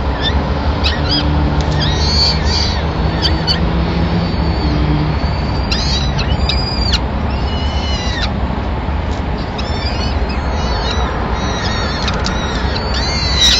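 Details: Peregrine falcon family in Madrid, 26 April 2016; the male arrives with a small bird as the chicks' first meal of the day. Many thin, squealing high calls, some bending downward, come in repeated clusters over continuous low city rumble.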